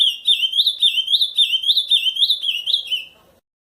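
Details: Wild ultramarine grosbeak singing the song style called camaquã in nature: a clear, fast phrase of about ten whistled, slurred notes, each rising then dipping, delivered in quick succession for three seconds before trailing off. No other sounds.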